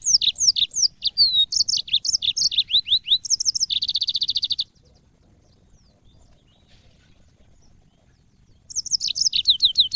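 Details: Yellow-fronted canary song used as training audio for cage birds: rapid high sweet warbled phrases with slurred whistles and a buzzy trill, a silent gap of about four seconds, then the warbling resumes.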